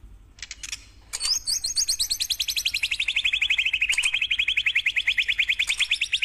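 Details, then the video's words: White-rumped shama singing a canary-style 'kenarian' phrase: after a few faint scattered notes, a long rapid trill of sharp descending notes, about twenty-five per second, sliding gradually lower in pitch and holding steady to the end. "Tembakan Kenarian Burung Murai Batu Bongkar Isian"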